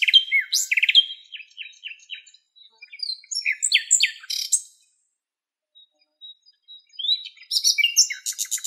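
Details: Western black-eared wheatear in Greece, where a female carried nest material: varied scratchy warbling of sharp chirps and quick notes in loose phrases, a pause with faint single notes, then another rapid burst of rattling notes.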